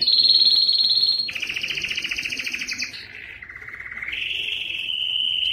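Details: Canary song for encouraging males to sing: a steady high whistled trill, then a lower rich rolling tour, dropping to a deep soft roll before rising to a level fast trill.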